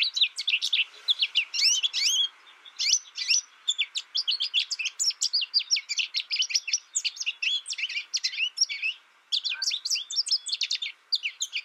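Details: Sustained high, chattering song from an isolation-reared American goldfinch tutored by recordings: dense runs of quick chirps and slurred notes with short gaps, over a faint background hum.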